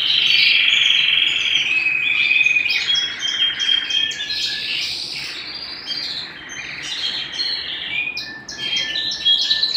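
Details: Canary singing at home, opening with a loud sustained trill, then breaking into varied chirps, whistles and short buzzy rolls.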